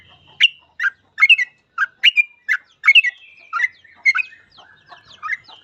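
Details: Gacor full ropel song of a sooty-headed bulbul, a master recording for training bulbuls to pick up ropel. Choppy, bubbly chirped phrases follow each other roughly every second, some rising, some dropping, over a clean quiet background.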